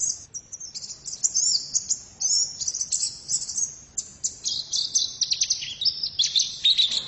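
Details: Female white-eye in continuous very high chattering song, a dense stream of rapid twittering and buzzy trilled notes with brief pauses, sustained throughout.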